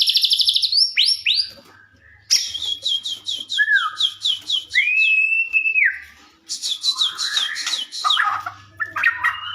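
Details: White-rumped shama song for prompting shamas to reply: rapid high trills of repeated notes, clear drawn-out arched whistles, then another fast trill and lower warbles; faint hum.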